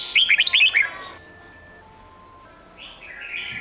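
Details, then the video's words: Red-whiskered bulbul singing in the Sông Kôn style, a recording for training young birds' voices for competition singing: one quick burst of bright, warbled whistled notes under a second long, then a faint steady hum and distant chirps. "Luyện Giọng Chào Mào Đỉnh Cao | Tận Hưởng Âm Thanh Tuyệt Vời Của SÔNG KÔN | Ép Giọng Chim Non"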